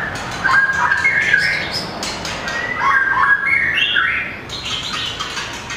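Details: White-rumped shama (murai batu) singing in competition while flicking its tail and running along its perch: loud, varied warbled phrases with squawky and whistled notes, broken by sharp clicks.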